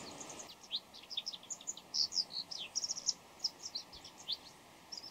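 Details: A bull-headed shrike before dawn with a dense, varied string of very high squeaky, twittering notes, some rising and some falling. The notes are fast and uneven, with no steady pattern, over a light hiss.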